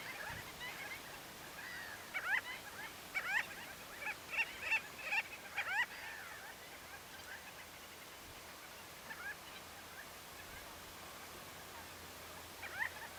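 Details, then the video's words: Common shelducks in April at the Tancat de Milia reserve, having flown in from the l'Albufera lagoon to feed, 12 to 45 birds, males displaying: a burst of rapid, upward-sweeping nasal calls repeated about every half second, then quieter scattered calls over steady background hiss. "Common Shelducks | Tarros blancos en el Tancat de Milia"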